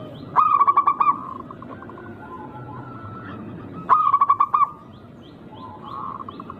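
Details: Wild local zebra dove singing in a rare, unique rhythm meant to draw rivals into song. Two strong phrases of fast, stuttering coo notes three and a half seconds apart. Quieter coos from other doves and faint high twitters fill the gaps.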